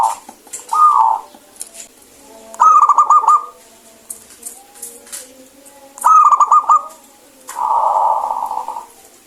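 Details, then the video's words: Local zebra dove in full, clear voice, meant to coax lazy birds into singing: rolling stuttered coo phrases about every three and a half seconds, mixed with shorter fuzzy coos and faint clicks. "PERKUTUT LOKAL GACOR SUARA BENING OBATNYA MALAS BUNYI"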